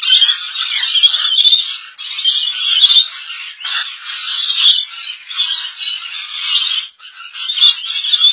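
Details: Rainbow lorikeet colony in Indonesia, many parrots screeching together in a loud, unbroken, rasping chorus that swells and dips without pause.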